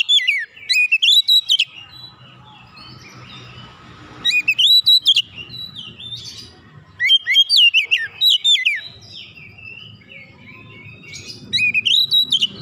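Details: Singing oriental magpie-robin, beak open, pouring out its repertoire to provoke other magpie-robins. Four loud outbursts of rapid, sharply sweeping whistled notes come about every three to four seconds, with a soft murmur between them.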